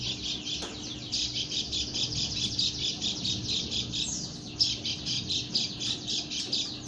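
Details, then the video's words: Female Lombok white-eye (pleci lombok) making an unusual, strange-sounding call: a rapid, continuous high-pitched chatter of buzzy repeated notes, about three per second, running through the whole recording over a steady low electrical hum. "burung pleci lombok suara aneh"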